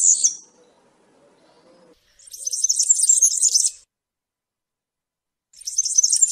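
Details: Campero-style European serin song: brief high jingles separated by pauses, the main phrase a sizzling, buzzy run of tinkling notes lasting about a second and a half; faint low sounds early on.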